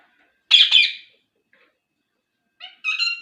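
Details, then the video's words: Rose-ringed parakeet, a talking ringneck kept as a pet, giving a loud harsh squawk followed after a pause by a shorter burst of raspy, harmonic-rich notes. "talking parrot | full video | ringneck parrot"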